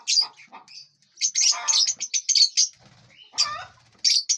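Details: Lovebirds in a large aviary, eating seeds, fruits and vegetables and flying about, give sharp high chirps and squeaky calls in uneven bursts, some overlapping, with short quiet gaps and faint wing flutters.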